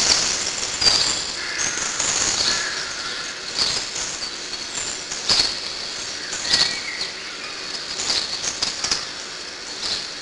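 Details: Nestling Eurasian blue tits being fed by their parents inside a hollow tree, heard as a steady high sizzling chorus of begging, laced with thin squeaks and repeated sharp clicks and scuffles of bodies and wings in the cavity.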